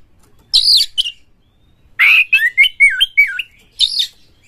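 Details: Oriental magpie-robin singing with tail spread, a lure song to stimulate other birds; loud buzzy bursts alternate with a clear sequence of wavering whistled notes, separated by silent gaps.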